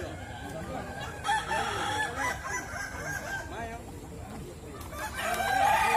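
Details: Kukuak Balenggek roosters at a crowing contest in West Sumatra, several birds overlapping with wavering, multi-step crows in long tiered phrases, louder near the end, over a busy background of other crows and low crowd murmur.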